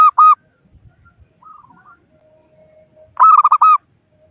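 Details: Local zebra dove used as a trapping lure, calling rivals: a loud burst of rapid cooing notes near the start, soft quiet coos in between, then another loud run of clipped cooing notes.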